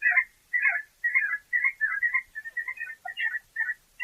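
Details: Male See-see Partridge giving its territorial song, a rapid series of short, high whistled notes, about two per second, each a quick slurred phrase, repeated steadily; it resembles the Sand Partridge's but is slightly faster and higher.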